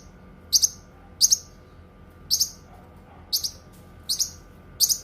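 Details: Cucak kinoi singing: six pairs of sharp, very high double chirps spaced unevenly, roughly every 0.7 to 1 second, against a quiet background with a faint low hum.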